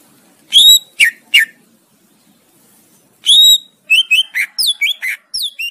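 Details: A few loud sliding whistles from a greater green leafbird, a silent gap, then a quick varied string of chirps and downslurred whistles, recorded for training competition songbirds.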